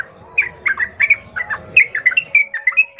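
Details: A sooty-headed bulbul sings steadily, used as a lure to make other bulbuls answer and fight: a lively stream of short whistled, bubbly notes in quick couplets over a low background rumble.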